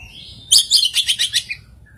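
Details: Oriental magpie-robin singing an unusual song with very rare filler phrases; a second-long burst of about six rapid, harsh, high chattering notes in quick succession, then a faint short note after.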